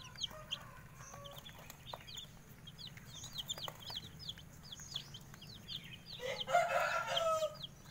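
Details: Bangkok chicken chicks, set out in the morning sun, peep steadily in high, thin, down-slurred notes, several calling at once.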